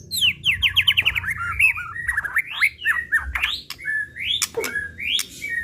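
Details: Murai batu of the pistol type (white-rumped shama) singing a lure meant to excite it and unload its repertoire: loud descending whistled slurs in quick series, rising sweeps and abrupt clicks, packed densely throughout.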